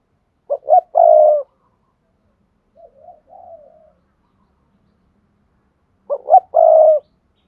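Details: Stimulating call of a spotted dove to get other doves cooing: two low, mellow phrases of short hoots ending in a drawn-out coo, separated by a soft, quieter wavering coo in the middle.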